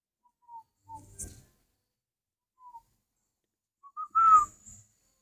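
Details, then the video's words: Spotted dove in captivity, said to brood well and offered as breeding stock. Scattered soft single notes lead into a phrase of two short coos and a longer, louder slurred note near the end, with brief clicks and rustling. "chim cu gáy hay ấp"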